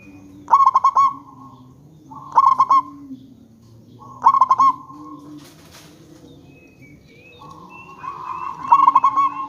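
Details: Local zebra dove calling as a lure to draw replies from other zebra doves: four bursts of fast, rolling staccato coos, each under a second, repeated about every two seconds, with steady tonal background notes between bursts.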